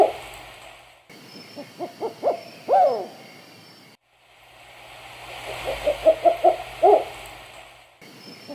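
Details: At night, a Black-banded Owl gives two runs of deep, quickening hoots, each ending in a louder, bending final hoot, over a soft hiss of night insects.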